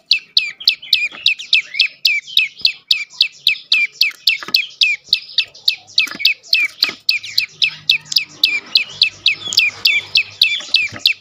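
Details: Prinia (prenjak lumut) singing loudly as a lure to prompt silent birds to sing: about forty sharp, high, down-slurred chirps in a fast, steady series, roughly three to four per second, with faint background noise.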